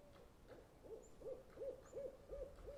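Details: A Barred Owl at a wilderness camp at the base of Mt Hood on the Pacific Crest Trail gives a quick run of about six low, arched hooting notes, roughly three per second, at night around bedtime.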